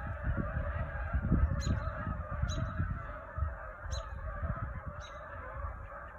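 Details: Many Canada geese gathered behind a Michigan country home at evening before flying off to Saginaw Bay islands for the night. Countless honks blend into a continuous roar, with low rumbling and a few sharp ticks roughly every second.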